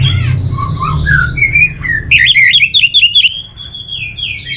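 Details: Orange-headed thrush (Geokichla citrina) sings a rich, varied run of warbled and slurred whistles, then a fast series of sweet, tumbling notes, over a low background hum.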